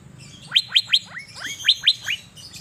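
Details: Kept Asian fairy-bluebird sunning in Banjarmasin sings a lively phrase of ringing upward-sweeping whistles, three strong, a couple of softer slurred notes, then three more, over faint background chirps.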